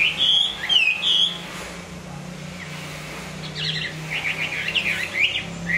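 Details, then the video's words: Moulting Hwamei song: bright looping whistles open the passage, a low steady hum like a passing vehicle fills the middle, then a burst of rapid wavering whistled notes returns near the end. "Hoạ mi hót khi đang thay lông"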